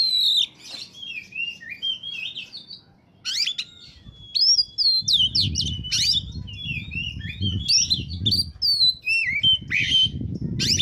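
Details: Long, varied song of an oriental magpie-robin in peak form, used to lure birds: continuous warbling whistles mixed with harsh scratchy notes. A low rumbling background noise enters partway through.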